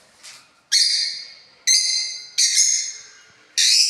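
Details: Pet parrots kept as a family group in a house; four loud, harsh, rasping squawks, each starting abruptly and trailing off, spaced roughly a second apart, with quiet pauses between.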